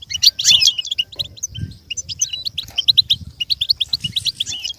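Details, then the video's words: Goldfinch singing, a recording meant to help goldfinches learn and imitate sounds. A dense, loud twittering burst opens, then runs of short high chirps repeat steadily over faint low background rumble. "With stimulation for the goldfinch to learn and imitate sounds"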